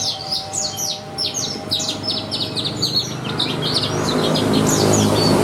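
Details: Caged Javan bushlark whose contest song carries a rich 'isian' of mimicked sounds, rattling off quick, high downslurred notes about four a second, while low background noise swells in the second half.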